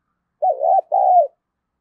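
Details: A decoy spotted dove in 'hạp bổi' voice calls to incite fighting, giving a single two-part phrase: a wobbling, dipping first coo, then a smooth, sustained second coo ending in a downward slide.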